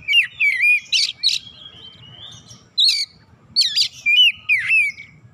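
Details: Lively Oriental magpie-robin phrases: rich whistled notes and abrupt steep sweeps grouped in quick bursts with brief gaps, a faint electrical hum beneath.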